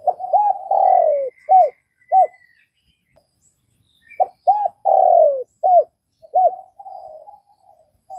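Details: Vietnamese spotted dove giving its coo phrase twice: a pair of quick arched coos, a long descending coo, then two or three clipped coos, separated by a short pause; thin high bird chirps sound faintly behind.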